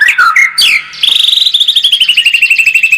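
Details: White-rumped shama song used as a lure to make a bird more combative: loud whistled slurred notes, then a rapid repeated trill of descending chirps, roughly three per second, clear and dominant with little background.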